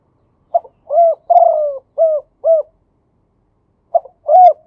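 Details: Mellow cooing from a male spotted dove in the Thai 'khu ang khan yon two kuk' style. A complete phrase moves from a short lead note through a long descending coo into two arched coos, and a new phrase starts after a pause.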